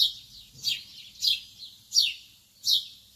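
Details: Shrill, high lovebird chirps at dawn, each a quick downward slide, five of them in just over three seconds against near silence.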